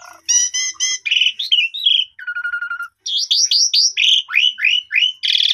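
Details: Asian pied starling song used as a lure to build a bird's confidence: a varied, loud run of harmonic whistles, a sustained low whistle, then rapid falling and rising slurred notes and buzzy bursts.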